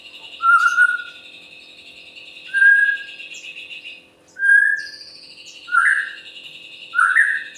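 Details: Captive white-rumped shama (murai batu), a prolific singer used to provoke other birds into singing, giving clear whistled notes near two seconds apart, some rising, over a steady high ringing background tone.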